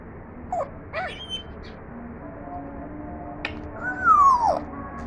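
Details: Pet African grey parrot attempting its first talking: scattered soft clicks and short notes, then a clear whistle sliding downward near the end, over a low background hum.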